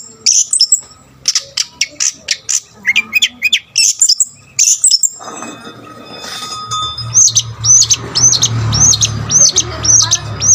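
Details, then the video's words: Long-tailed shrike in full varied song meant to provoke rival shrikes: fast chattering bursts and trills that give way to a steady row of high, hooked whistles repeated about twice a second over a low hum. "BURUNG CENDET GACOR FULL ISIAN,SUARA COCOK BUAT EMOSI CENDET LAIN"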